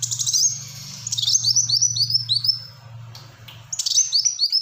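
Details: Black-throated sunbird giving energetic 'gacor' song: a string of high, down-slurred whistles repeated several times a second, a brief lull, then more slurs, over a constant low electrical-sounding hum.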